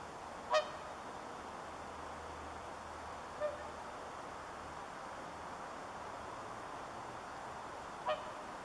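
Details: Swan calling on Kaleton pond, Siilinjärvi, in the evening of 26 September 2013 at +8C: a clear nasal honk, a faint one midway, then another honk about eight seconds later, over constant low hiss.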